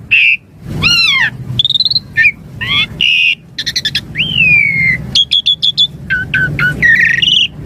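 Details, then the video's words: Javan pied starling in full varied song, kept as a master and lure for starlings: descending whistles, stacked rising sweeps, rapid clicking trills and a long downslurred whistle, followed by quick chattering notes, with low background hum. "Suara Jalak Suren Gacor Isian Mompa Full Variasi Cocok Buat Masteran Harian & Pancingan Burung Jalak"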